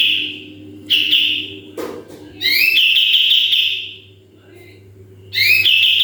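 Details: Sooty-headed bulbul in shooting-style 'tembakan' song meant for training other birds: short trills, a low knock, then rising notes leading into a buzzy rattling trill, starting again at the end.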